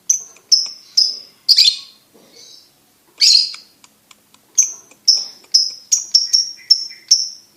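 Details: Competition-winning lovebird chirping in shrill ringing notes, broken by two harsher, noisier squawks and a short pause, then a rapid string of clear high chirps that speeds up near the end.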